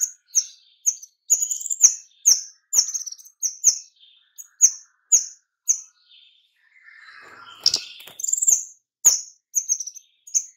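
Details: White-rumped shama in a long burst of dense rapid-fire lure song, used to entice other shamas into singing: steady runs of quick, high whistled notes with snapping attacks, briefly broken by a rougher, noisier passage midway.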